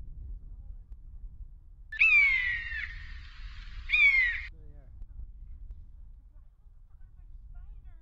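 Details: Buzzards flying over Brackagh Moss at Easter, captured with a Panasonic X920 camera: a strong, harsh descending mew followed two seconds later by a shorter one, then quiet with a low background rumble.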